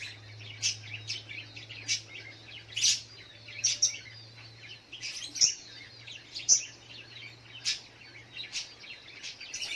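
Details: A little spiderhunter in the morning gives a lively string of sharp, high, irregular chirps and squeaky notes, some louder than others, over a steady low-pitched hum.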